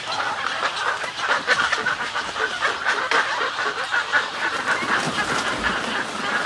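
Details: Snowy egret colony heard at medium close range, a steady wash of hoarse, scratchy calls from many birds blending into a rough, continuous chatter.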